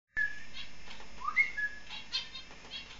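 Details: Four-month-old young finches calling: a clear, steady whistled note, then a short rising whistle, a higher flat whistle and a few softer chirps, with faint rustling and fluttering behind.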